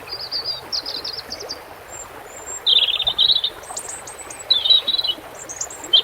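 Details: European robin song over running water: rapid high twittering phrases and fine trills, alternating with thin whistled notes, continue almost without pause against a constant soft rush of water.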